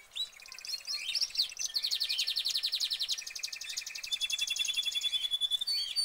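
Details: Canary in a cage pouring out a high, fast rolling trill of many quick repeated notes, with a thin drawn-out whistle toward the end.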